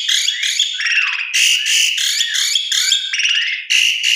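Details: Javan pied starling singing a full, varied lure song meant to prompt other starlings to sing: dense runs of harsh buzzy notes, bright whistles and slurred downward phrases, nearly continuous with only brief pauses.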